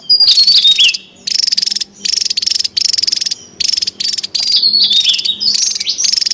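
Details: A Javan tesia in the wild gives loud, high-pitched, buzzy bursts mixed with quick whistled slurs, in phrases about a second long with brief pauses between them.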